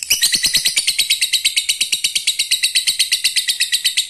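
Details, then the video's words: Male lovebird calling a female, a lure to set other lovebirds chattering: loud, rapid, evenly repeated harsh high chirps, nearly three per second, running steadily through the whole stretch. "Lovebird jantan memanggil betina ampuh membuat lovebird anda jadi ngekek terus"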